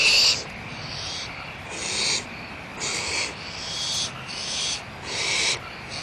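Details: Barn owls at Audubon Starr Ranch Sanctuary, 1 April 2011: softer, drawn-out breathy hisses, about five in six seconds, rising and fading unevenly against a steady background noise.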